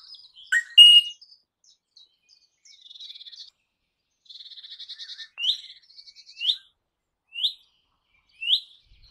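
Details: Crimson rosella recorded on 21 May 2015: a brief chatter and bright note, then buzzy trilled passages and a series of clear rising whistles, each about a second apart, in quiet surroundings.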